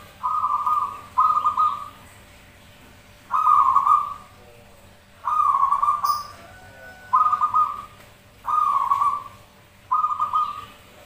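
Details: Zebra doves answering one another in song, used for luring: seven loud, fast-trilled coo phrases at fairly even intervals of about one to two seconds, with a brief faint click partway through.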